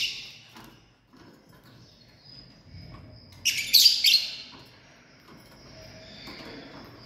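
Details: Family group of lovebirds: after a faint thin whistle, a loud rasping screech cluster erupts mid-way and breaks into several harsh notes. Near-quiet background with soft low rumble.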